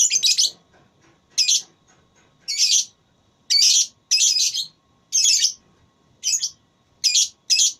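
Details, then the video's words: Lovebird in a singing contest, gacor ngekek style: loud, harsh, buzzy chirp bursts of about half a second, repeated roughly every second, with short gaps between them and no other clear sounds. "Lovebird Tarung Suara"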